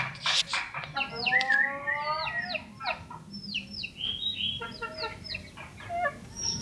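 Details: A small pet common iora, hand-raised from a chick, sings a lively, nonstop string of varied loud whistles, buzzy notes and chatters that rise and fall over a faint low hum.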